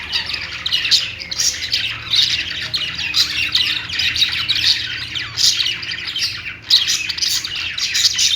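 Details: Pet budgies in steady song, a continuous stream of buzzy chirps and harsh squawks pulsing in loud bursts roughly every second.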